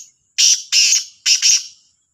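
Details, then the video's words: Morning call of a Black francolin, Sahiwal, 18/09/22: four harsh, scratchy notes grouped two and two, loud and abrupt, the whole phrase lasting about a second and a half over quiet background. "کا لا تیتر کی صبح کی آواز | Kala Sindhi Teetar Ki awaz"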